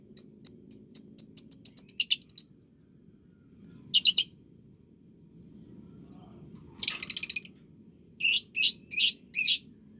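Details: Lovebird calls meant to train juvenile lovebirds to chatter: an opening run of rapid shrill chirps that accelerates into a dense trill, then harsh buzzy bursts and a series of four strident squawks separated by short pauses.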